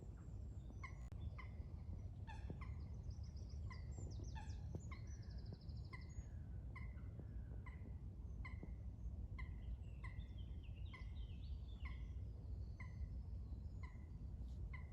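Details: White storks (Ciconia ciconia) clattering in the early morning at Vondelpark, Amsterdam, 2022, where many storks gather: a steady run of hard knocking beats about twice a second, with thin small-bird chirps above and a constant low rumble.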